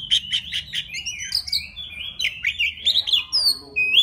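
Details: A wild Oriental magpie-robin singing to call a female: a quick run of five sharp repeated notes, then a varied stream of sweet, slurred whistles rising and falling, clear over a faint background hum.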